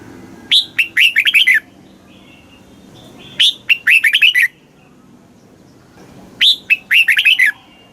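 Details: Thai caged red-whiskered bulbul in the southern master song style, played back to rouse other birds and teach chicks. Three evenly spaced phrases of clear, bouncing whistled notes repeat roughly every three seconds against near silence.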